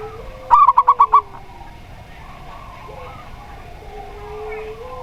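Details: Local zebra dove (perkutut lokal) in a lure recording for doves: one brisk burst of six crisp, bubbling notes, followed by faint, soft cooing in the background.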